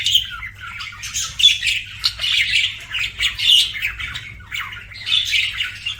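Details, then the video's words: Budgie calling with loud squawky chirps and raspy warbled phrases in uneven bursts, separated by short quieter gaps, over a faint room hum. "BUDGIE CHIRPING SOUNDS"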